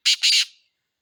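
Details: Black francolin giving a brief, loud, harsh call: a short grating note followed at once by a longer rasping one, the whole lasting about half a second.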